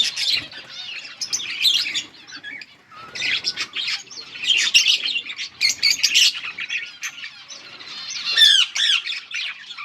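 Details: Yellow budgerigars chirping, offered as company for lonely birds: dense bursts of scratchy chattering and short squawky notes with rising and falling whistled squeaks, in clusters separated by brief pauses.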